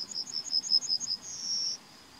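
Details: Yellowhammer singing in May 2020: a quick run of about ten high, thin repeated notes, then a drawn-out buzzy final note, over quiet background.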